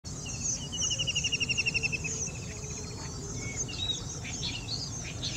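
White-throated kingfisher giving a fast, high, rattling trill of about a dozen notes over under two seconds, then fainter chirps from other birds over a low background rumble.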